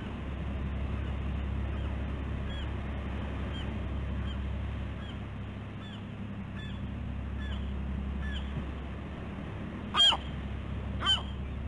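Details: Bald eagles on a nest camera at the West End, Catalina Island, California, on a busy morning of 15 August 2016. Faint, thin rising chirps repeat about once a second, then two louder, sharper yelps near the end. A steady low mechanical hum runs throughout.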